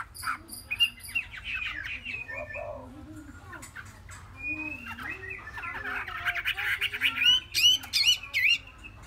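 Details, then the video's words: Chinese hwamei of three months giving wavering, warbled whistles and looping slurred notes, a few rapid clicks at the start and a loud burst of rising sweeps near the end. "họa mi"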